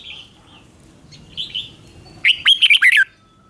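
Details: Red-whiskered bulbul song used for training caged birds or for trapping: after near-silence, a quick burst of about six bright, liquid, warbled notes in under a second, with faint softer notes earlier.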